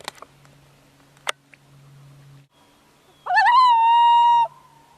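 A common loon gives one long wail that quavers upward, then holds a steady, mournful note. Scattered knocks and a low hum come before it.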